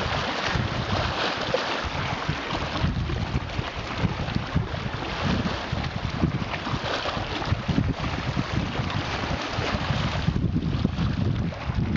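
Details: Steady wind buffeting the microphone over lapping water and a low boat-like rumble, with no animal voices standing out.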